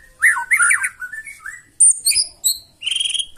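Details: Brief loud burst of white-rumped shama song, used to stir other birds into singing: warbled whistles, then sharp high clear notes and a quick trill.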